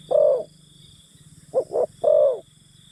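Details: Spotted dove decoy luring wild birds with a long coo, a brief gap, then a double note and a further long falling coo, accompanied by a low pulsing mechanical hum and high insect buzz.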